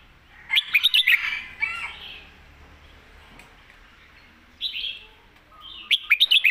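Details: Red-whiskered bulbul with a loud voice, southern Thai master song style: rapid sharp chirps, a flowing warbled phrase, a quiet gap, then another warble and a closing run of bright chirps.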